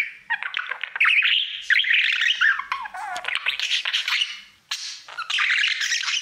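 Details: Pet male budgerigar singing to his mirror indoors: a continuous chattering warble of buzzy, fast-modulated notes and clicks, with brief whistled slurs and short pauses.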